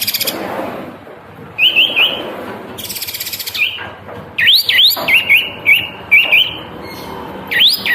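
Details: Cream-vented bulbul (kapas tembak), a captive bird singing vigorously while spreading its tail, recorded for song-training: short whistled phrases, slurred up-and-down and rising sweeps repeated in bursts, alternating with dry buzzy rattling noises.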